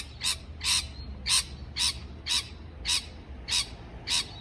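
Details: Parrot giving short, harsh, broadband chirps, eight in a row spaced about half a second apart, each a brief burst, over a low steady background hum.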